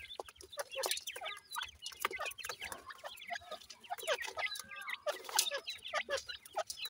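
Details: Captive grey francolin chicks at feeding time, a female giving them insects; continuous busy chorus of short high chirps and twittering peeps from several young.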